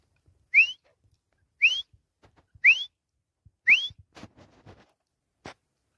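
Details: Grey francolin, called teetar, in the jungle: four loud, clear whistles rising sharply in pitch, about one per second, then quieter scattered clicks and ticks with otherwise silent surroundings.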